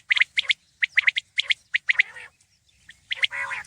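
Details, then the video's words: Repeated quick three-syllable phrases from a common quail, each group of bright clipped notes following closely on the last, ending in a low raspy churr. "Khobsorat saaf Batair Ki Awaz| Batair ki Awaz , Batair Sound vol 33 , Common Quail Sound 2020"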